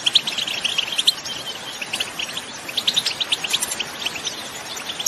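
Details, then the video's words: Wild goldfinches in open country giving trills and calls that motivate their own species to sing; softer, scattered high chirps and short twittering runs over a light background hiss. "𝗟𝗔 𝗖𝗔𝗡𝗖𝗜𝗢𝗡 𝗠𝗔𝗦 𝗙𝗨𝗘𝗥𝗧𝗘 𝗗𝗘 𝗠𝗢𝗧𝗜𝗩𝗔𝗖𝗜Ó𝗡 𝗣𝗔𝗥𝗔 𝗣𝗢𝗧𝗘𝗡𝗖𝗜𝗔𝗥 𝗘𝗟 𝗖𝗔𝗡𝗧𝗘 𝗗𝗘 𝗟𝗢𝗦 𝗝𝗜𝗟𝗚𝗨𝗘𝗥𝗢𝗦"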